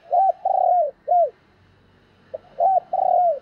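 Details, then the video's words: Decoy spotted dove calls to lure wild birds in. A phrase of a short arched coo, a long level coo and a falling note, then a pause, then the phrase starts again with a quick pip. "Tiếng Chim Cu Mồi Gáy Gọi/ chim Cu Gáy Kích Bổi"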